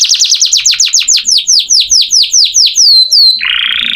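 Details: Canary song for training other songbirds: a run of about fifteen sharp down-slurred whistles, slowing and lengthening, ending with a low buzzy trill.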